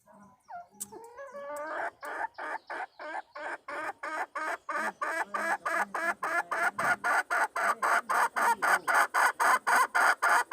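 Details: Wild red junglefowl hen calling to lure a male, recorded 26 March 2020: a fast series of sharp, evenly spaced clucks, roughly three to four per second, starting softly and building steadily louder into an insistent cackle.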